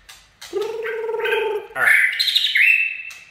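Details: White-rumped shama singing a "chạy cầu" song: a steady low whistle, then brighter whistled phrases stepping upward into higher, slightly warbled notes, loud and clear against a quiet background.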